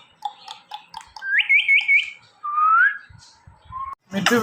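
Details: Pet Indian ringneck parakeet: a row of short ticking chirps, a quick four-step wavering whistle, a long upward-sliding whistle and a short plain one, then a harsh loud squawk.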